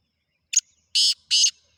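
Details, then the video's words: Black francolin calling: a short scratchy lead note followed by evenly spaced loud, grating, buzzy syllables, recorded against a silent background. "Khasar Teetar Chakri wala Teetar"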